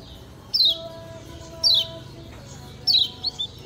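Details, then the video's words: Kecial kuning from Lombok, the lemon-bellied white-eye, in a training master for other birds. Three clear, high, falling 'ciak' calls are spaced about a second apart, with a soft tonal hum and low noise behind them. "Ciak Ciak Ngejoss Kecial Kuning Ampuh Jadi Masteran"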